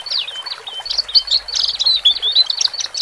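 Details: Male and female Horsfield's bush larks singing as a lure to help newly separated caged birds settle and relax; high, scratchy chirps and short flat whistles tumble together in a rapid, jumbled stream.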